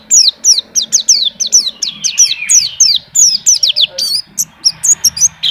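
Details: White-eye singing energetically in captivity, a fast stream of high descending chirps and twitters, some buzzy runs mixed in, delivered in quick uneven bursts.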